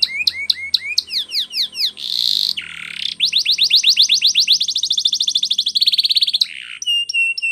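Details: Spanish Timbrado canary training song: rapid sweeping whistled notes, a buzzy held tone, then a long accelerating series of downward-slurred trills and another buzzy burst, ending in clipped metallic notes, loud and clear.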